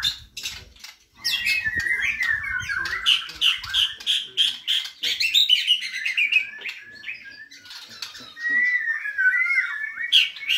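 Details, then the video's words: White-rumped shama in full song after a brief low rumbling start, pouring out a rich run of warbled whistles, chattering notes and sliding phrases, ending with a looping whistled flourish. "Murai bordan gacor"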